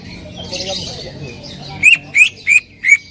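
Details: Greater green leafbird: after soft mixed chatter, four loud rising whistled notes with sharp clicky onsets, spaced about a third of a second apart.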